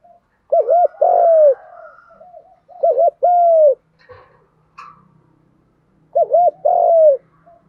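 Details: Spotted dove coos for teaching young captive birds: three phrases of a double hooked note plus a sustained falling coo, with a faint low hum and brief clicks in the gap.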